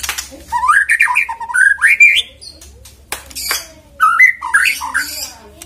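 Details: White-rumped shama singing, played as a lure to prompt other birds to sing. Climbing, warbled whistled phrases in two bursts separated by a brief pause, with a sharp high note in between.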